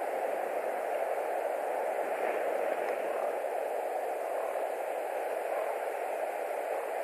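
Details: Steady broadband hiss of static from a White-tailed Eagle nest camera in Latvia, with no animal voice heard.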